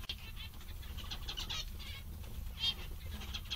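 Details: Zebra finches, described as happy and cheerful, giving short nasal, buzzy calls in quick bursts with stacked harmonics, several birds overlapping, over a steady low hum in the background.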